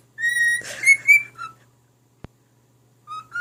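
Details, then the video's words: Caged male cockatiel singing to his mate: a long pure whistle held steady, then a short warbled flourish and a few brief notes after a pause; faint click mid-clip and constant low hum. "Talking Cockatiel talks, and sings, and plays Peek-a-boo!"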